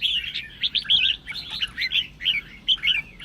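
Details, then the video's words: Provocative red-whiskered bulbul song meant to make other bulbuls answer; about a dozen clear, bouncing whistled notes in short phrases, evenly loud over three seconds. "Chào Mào Kình Kích Chim Bạn Dễ Ché. Âm Thanh Kích Chào Mào Ché"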